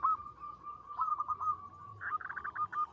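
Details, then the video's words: Quieter recording of a local zebra dove, a keen singer with a long, melodious voice, giving a soft steady trill of coos that turns into a brighter run of quick notes near the end. "Perkutut lokal gacor suara besar panjang merdu"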